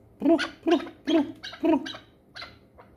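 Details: Pamir hunting chukar partridge utters close, throaty chuck notes, four strong ones in quick succession followed by two weaker ones, each with a low, gravelly core.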